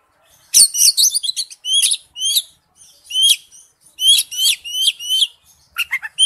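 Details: Oriental magpie-robin lure song as a ringtone: loud bursts of rapid high chirps and upslurred whistled notes in short repeated phrases with brief gaps.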